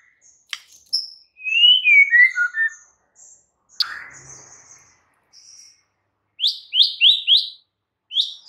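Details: White-rumped shama singing a varied, loud song for stimulating other shamas: sliding descending whistles, sharp high notes, and a burst of bright rising chirps repeated near the end.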